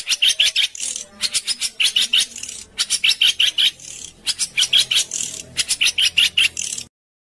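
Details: Coarse 'besetan kasar' songbird sounds meant for training home-kept and competition birds: grating, raspy bursts in clusters of three to five, separated by short pauses, with a faint low hum underneath.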